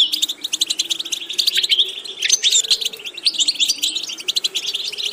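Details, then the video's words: Goldfinch under vocal training delivering an unbroken, quick, high-pitched twitter of tinkling and chirping notes with a few thin whistles midway, accompanied by a steady low hum. "Watch how to develop a distinctive vocal character for the Goldfinch"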